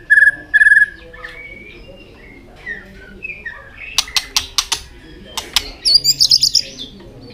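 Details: Singing white-rumped shama, tail flicking as it sings: opening doubled warbled notes, then soft varied whistles, a run of sharp dry clicks, and a high rapid twittering phrase near the end.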